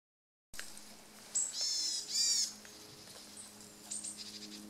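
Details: Varied tit giving contact calls while bathing and preening in Tokyo on 6 January 2013; two nasal, buzzy drawn-out notes rich in overtones, followed by a few thin, high short notes, over a faint low hum.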